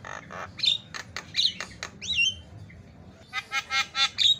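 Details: A Javan myna tutor song with fast fill notes meant to make mynas call. It sings a varied run of harsh squawks, sharp clicks and whistled slurs, ending in six quick, raspy, repeated notes.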